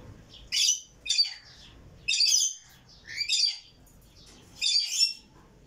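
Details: Rainbow lorikeet, known locally as red malcund lorikeet, uttering loud harsh screeches in bursts roughly every second, some doubled, with a quiet background.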